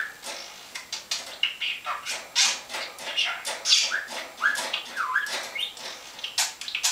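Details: A pet talking budgerigar named Carlo chatters in Danish speech-like bursts, fast and scratchy, mixed with high squeaks and little whistled slurs, a steady warbling run with no pauses.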